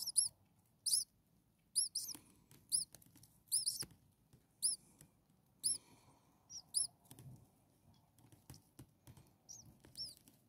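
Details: Six hungry common starling nestlings a few days old in a nest, giving thin high squeaky begging chirps in bursts roughly every second, some doubled, with soft rustling and handling noise between.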